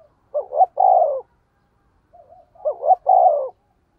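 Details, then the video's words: Decoy spotted dove in 'thổ' voice cooing 'thúc gù' style: two clean phrases about two and a half seconds apart, each two short notes and a longer coo, with a faint soft note between. "cu gáy giọng thổ THÚC GÙ bài bản"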